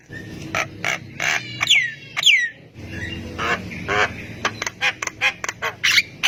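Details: Jalak kebo, the Javan myna, singing to make quiet mynas respond: dense harsh squawks and chattering notes with two clear falling whistles, over steady low background noise.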